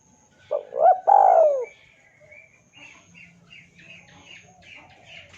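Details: Spotted dove giving a lure call to draw a rival: one three-part coo with a short low note, a rising note and a long falling note, followed by faint high chirping from small birds.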